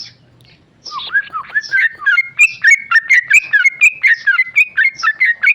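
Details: A tame male sooty-headed bulbul in ropel song. Silence opens, then slurred whistles begin lower and build into a fast chain of sharp, rising-and-falling whistled notes that grows louder.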